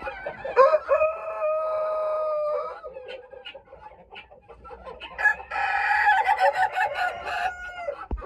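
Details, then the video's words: Laughing chicken rooster of the Ayam Ketawa breed, from Sidenreng Rappang in South Sulawesi, Indonesia, crows a long, steady, harmonic tone for about two seconds, pauses with soft stutters, then bursts into a rapid cackling, laugh-like run. "Ayam Ketawa -cocosul care rade"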